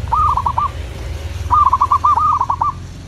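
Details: A local zebra dove sings two trilling bursts of rapid, slightly wavering coos, the second longer. Steady low-pitched background noise throughout.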